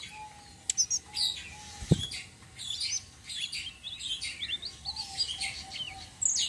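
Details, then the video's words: Flowerpecker of the local type tledekan sitrun selendang biru in rolling bait song for other birds: dense high twittering and squeaky trills, with a sharp thump near the start and a steady faint lower whistle. "BURUNG TLEDEKAN SITRUN SELENDANG BIRU NGEROLL||BISA BUAT PANCINGAN"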